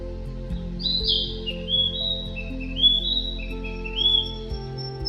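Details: Male Narcissus Flycatcher (Ficedula narcissina) at Yatsugatake, Japan, gives a run of clear, high whistled phrases, some slurred downward, with soft steady music underneath.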